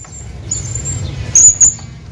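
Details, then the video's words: Hanging parrot calling out to a companion bird, giving two short, sharp, very high-pitched squeaks close together, preceded by a faint thin whine, with low background rumble. "hanging parrot calling his friend"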